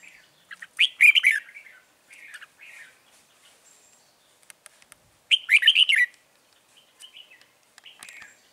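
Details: Lure red-whiskered bulbul in a trap sings two loud warbling phrases about four seconds apart, with scattered softer chirps and clicks around them.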